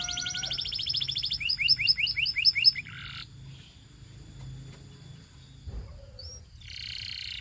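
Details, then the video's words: A Belgian canary sings high, rapid trills that shift into a run of quick, repeated sweeping notes, then a brief pause and another fast rolling phrase. "Belgian Canary Singing"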